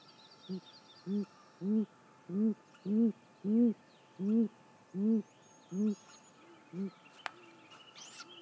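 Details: Female great grey owl calling from her nest at 6:19 am, 28 May 2017. About eleven low hoots swell in loudness and then fade, roughly 0.6 seconds apart. A sharp click near the end and faint bird chirps are heard.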